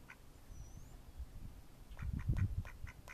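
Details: Mallards in May 2014 giving a handful of short, rough quacks over low rumbling noise, with a thin high whistle heard briefly early on.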